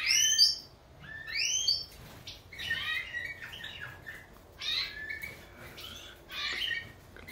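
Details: Subspecies major of the European goldfinch opening with two loud upward-sweeping whistled phrases, then scratchy twittered bursts separated by brief gaps.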